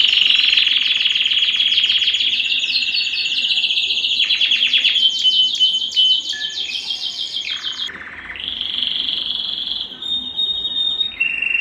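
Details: Breeding-stimulation song of a Belgian canary: a long dense buzzing trill with fine rapid pulses, followed by a softer steady warbled phrase and a short whistle.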